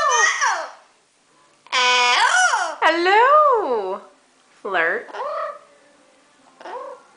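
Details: Kelly, a female pet Amazon parrot, in evening chatter talking and singing 'Desperado', voice-like human-sounding tones swooping up and down in short bursts with brief pauses between phrases.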